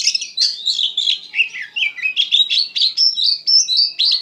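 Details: Oriental magpie-robin (kacer) singing in the gacor, ngeplong manner: a dense, continuous stream of quick, varied whistles and trills, about four notes a second, mixing rising and falling slurs.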